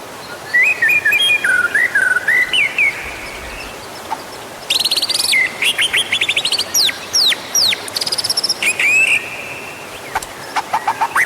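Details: Used to stimulate other birds to sing, this white-rumped shama song begins with a warbling whistled phrase, pauses, then bursts into very high rapid sweeps and trills.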